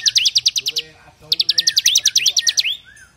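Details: Bar-winged prinia, described as fairly active, pouring out its rapid 'AK47' style song for use in training other birds. Dense runs of staccato high notes about fifteen per second, broken by a brief pause, with a falling whistle at the end.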